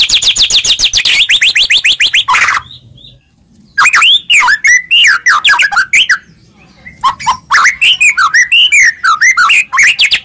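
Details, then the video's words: White-rumped shama song played to provoke a reply: rapid high trilled notes, then after a pause loud swooping whistles and chirps in quick varied phrases. "Pancingan Begini Yang Disukai Murai Batu Seketika Langsung Nyaut"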